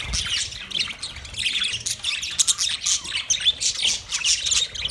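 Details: Several budgies chirping in a master cage: dense, continuous high twittering and scratchy warbling chatter, with short sharp squeaks overlapping throughout and no pause.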